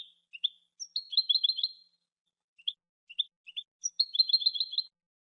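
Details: European goldfinch (jilguero) singing its cante: short high chips and tinkling notes interspersed with two quick, liquid twittering trills, recorded very cleanly against total silence.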